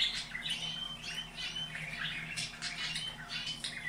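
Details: Caged canary song, a recording meant to be played twice daily to canaries, with breeding tags: quick run of varied chirps and short whistled notes, high-pitched and continuous, over a low steady hum.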